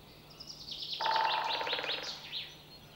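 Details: Great spotted woodpecker drumming in Sweden: a rapid, even roll of knocks lasting about a second, with a resonant hollow tone, while other songbirds twitter and whistle high above throughout.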